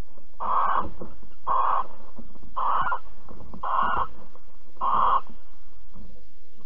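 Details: Alphen, 22 April 2020, 21:37: a barn owl during mating and cuddling gives five harsh, hoarse screeches, each about half a second long, repeated roughly every 1.1 seconds over soft shuffling noises.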